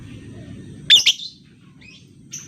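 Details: Lovebird sounds used as a lure to stimulate other lovebirds to sing: two sharp, harsh shrieks close together, followed by a faint rising whistle and a short high chirp over a low background hum.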